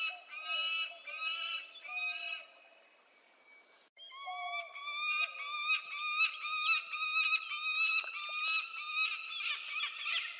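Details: Peregrine falcon: a few hoarse, stacked wails, then a brief quiet gap. A long run of harsh, overlapping whining calls follows, pulsing roughly twice a second and growing noisier toward the end.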